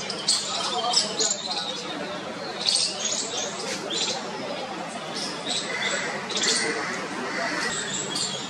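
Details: Bulbul chicks in a nest in a parking shed near people, cheeping and chirping for their mother's attention to be fed; high thin chirps in irregular bursts over a steady hiss.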